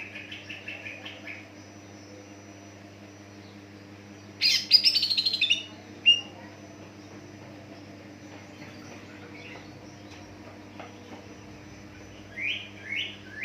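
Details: Greater green leafbird song used as a lure to trigger young leafbirds to sing: short bright whistled notes, then a loud buzzy, crackling burst mid-way, later rising whistled phrases over a steady low hum.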